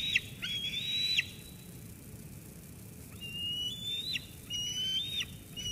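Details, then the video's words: Eaglet in Sauces Canyon, 13 June 2021, squeeing at its mother after she delivers food. One loud held whistle with a falling end, then a pause, then softer, shorter whistled squees. "Sauces Canyon eagles; Dina squees Mom away"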